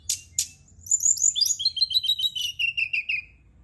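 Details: Brown-chested jungle flycatcher song used at night to stimulate singing: two sharp high notes, then a fast descending chain of whistled and trilled phrases sliding lower toward the end, over a faint low hum.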